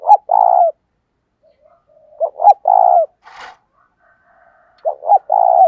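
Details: Spotted dove used as a lure bird, cooing in repeated phrases: short rising notes followed by a longer rolling coo, three phrases with pauses and a brief scratchy noise between.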